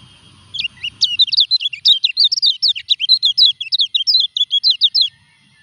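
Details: Common iora (kecial kuning) singing while moulting, still performing despite feather replacement: a rapid, lively run of about twenty short, sharp whistled notes, twisting up and down at a steady pace for over four seconds, clean and without other sounds.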